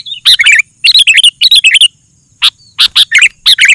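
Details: Sooty-headed bulbul in energetic full song, played to lure other bulbuls into answering: loud harsh chirps mixed with bubbly warbled phrases in quick clusters, a pause near the middle, then more bursts.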